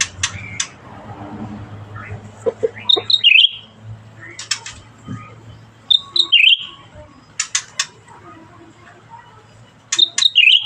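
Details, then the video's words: Black-headed Bulbul in active song, repeating a bright whistled phrase with a twisting drop, among sharp clicking taps and a faint low hum. "Burung Cucak Ranting Gacor"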